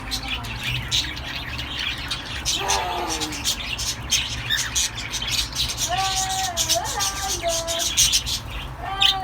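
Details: A cockatiel eating cooked rice gives short, harmonic whistled calls over a steady patter of sharp clicks.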